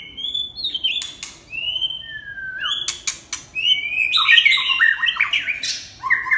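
Red-whiskered bulbul giving bright, slurred whistles that rise and fall, then a quicker run of warbled phrases; a few sharp clicks sound in between.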